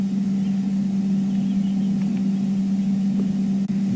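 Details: A vehicle engine idles with a steady low hum and one brief knock near the end, and no animal voices come through.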